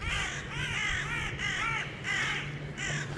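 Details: Several crows cawing at a pest-control site as a falconer releases his hawk, crows likely having spotted it and soon mobbing it; harsh hoarse calls about every second and a half, some overlapping, over low background rumble.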